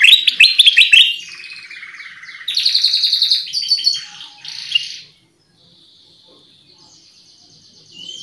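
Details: Black-crested bulbul (kutilang emas, Pycnonotus melanicterus) singing energetically as a lure sound: rapid burst of sharp chattering notes, then bubbly warbled phrases and a later run of fast clipped notes, with a quiet pause before thin high whistles.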